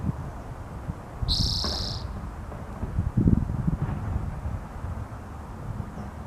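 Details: Spotted towhee (Pipilo maculatus) call: one short, buzzy, high note lasting under a second, over steady low wind rumble.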